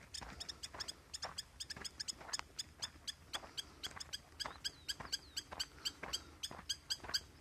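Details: Spur-winged lapwing giving a long series of sharp, metallic, ringing notes, spaced irregularly at roughly two or three per second, with a faint low rumble of background noise underneath.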